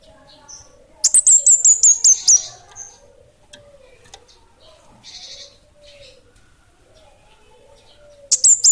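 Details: Orange-headed thrush (kemade) of the bunga api kecil type in energetic song: seven fast, very high slurred notes, a soft wavering low tone and a buzzy burst, then the high notes return.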